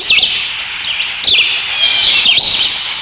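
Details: Black sparrows chirping together in natural surroundings. The busy, high-pitched twittering is continuous, with V-shaped swooping notes standing out near the start, middle and end.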